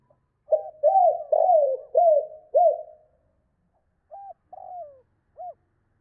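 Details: Spotted dove's 'cốt' call, used to provoke other doves: a rapid run of five mellow, arched coos, followed after a pause by three softer, separate hoots, one sliding downward.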